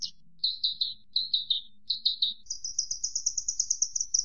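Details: Javan bush lark song: slurred descending whistled notes in groups of three, then a long rapid series of thin high notes. A faint low hum sits underneath.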